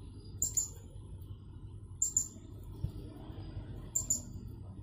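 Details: A caged blue-crowned hanging parrot competing in an online contest, from Jungkat, West Kalimantan: three evenly spaced pairs of very high, sharp squeaks about two seconds apart, against a faint low hum.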